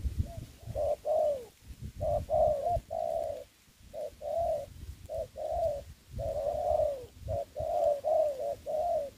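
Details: Spotted dove used as a decoy for trapping in Dong Nai, Vietnam, during Covid-19: a long steady series of hoarse coos in repeated short-long phrases, roughly one note per second, with light low background noise.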